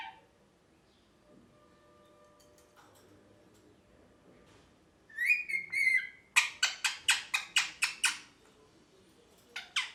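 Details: Parrot voice in a happy mood: a brief low whistle, near silence, then a warbling whistled phrase, followed by a steady series of about eight sharp, clipped chirps, and two more chirps at the close.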